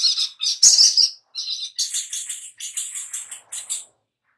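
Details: High, piercing chirps from a little spiderhunter in a lure recording for making birds sing, given in quick clustered bursts with brief gaps and a faint click.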